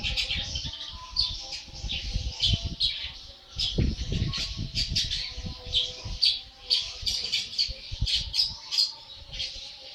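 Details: An 80-day-old long-tailed shrike sings continuously with rough, buzzy chattering phrases and squeaky squawks, while low rumbling and knocking noises sound underneath throughout.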